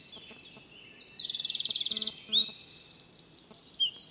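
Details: Northern wren, nominate subspecies, recorded in April 2020 in Brussels, Belgium: high, energetic song of rapid buzzy trills and sliding notes, with faint low tonal sounds in the background midway.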